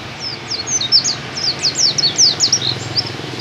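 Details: Oriental white-eye (pleci dakun) singing in the canary-shot style (tembakan kenari): a fast run of high, thin, sharply slurred chirps, mostly descending, packed closely over three seconds, with a low background hum.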